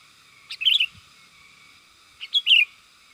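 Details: Two quick chirpy phrases from a sooty-headed bulbul used as a lure for wild birds, each a short note followed by a bright rolling warble, about two seconds apart.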